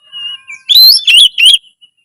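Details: Oriental magpie-robin singing loudly to raise breeding drive and fight mode. A soft, steady whistle leads into three loud, bent, warbling phrases, then it fades to silence.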